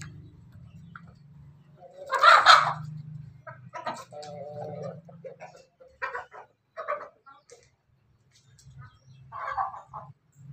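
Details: Crossbred chicken of pelung, bangkok and ketawa lines from Jogja crowing in the afternoon: a loud harsh opening burst, then a long steady mid-pitched drawn-out note, followed by shorter broken phrases with pauses and low background hum.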